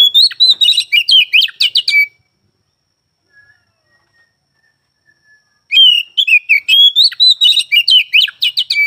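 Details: Oriental magpie-robin singing energetically: fast runs of sharp whistles and trills, a quiet gap with faint distant calls, then another long, varied, loud burst of song.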